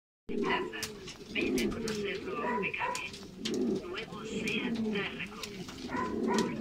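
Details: Canarian pouter pigeons, fiery males in strong breeding heat, give low arched cooing phrases that rise and fall in repeated bursts, with music playing in the background.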